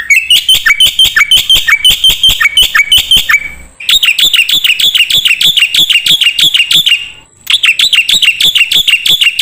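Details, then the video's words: Black-winged myna song for training songbirds: three long runs of rapid, harsh, metallic chatter, each note sharply repeated several times a second, with short gaps between runs. "MASTERAN KICAU Jalak Putih"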